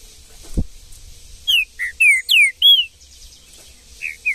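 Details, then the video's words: Green-winged saltator singing in the wild, in the bush: a fast run of five bright whistled notes sliding down or up, then two softer whistles after a pause, with a dull knock early on. "MUITA FIBRA trinca ferro no mato"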